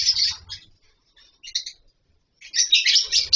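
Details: A lovebird colony in captivity, birds nesting in wooden boxes and mud bowls: harsh high chattering at the start, a brief lull with a couple of thin squeaks, then loud overlapping shrill chirps.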